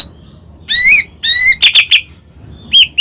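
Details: White-rumped shama of the Medan type, singing vigorously as a lure to make other shamas sing: a few loud, high, buzzy rising phrases with short pauses between them.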